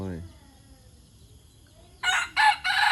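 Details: White decoy junglefowl giving a crow in three loud, harsh, broadband bursts after a quiet pause, preceded by a brief low voice-like sound.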